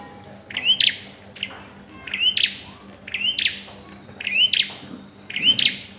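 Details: Bar-winged prinia in the pairing phase, its rising whistle plus buzzy snap repeated five times at slightly uneven intervals, with a quiet steady hum behind.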